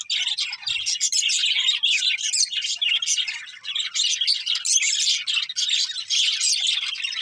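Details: Budgerigars singing happily during feeding: an unbroken stream of high, scratchy twitters and chirps layered over one another, steady in loudness throughout.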